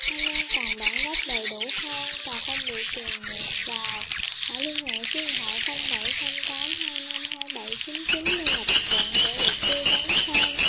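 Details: Edible-nest swiftlet calls played to draw the flock into a swiftlet house: rapid high twittering chirps layered over lower, repeated wavering tweets about two per second.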